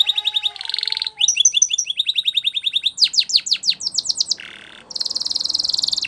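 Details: Spanish Timbrado canary song for training: a low rolling phrase with a pulsed trill, quick chirped notes, a run of descending whistles, a brief harsh buzz, then a long fast metallic trill.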